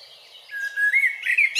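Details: A single short phrase from a Eurasian blackbird in Zagreb's Grmoščica Forest Park, Croatia, recorded on a Panasonic Lumix DC-TZ90: a low fluted note rising into mellow warbling, closing with a brief high squeak.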